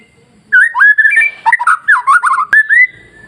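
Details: White-rumped shama masteran song meant to goad other shamas into singing: a run of loud whistled notes dipping and rising, rapid warbled sections and a sharp click midway.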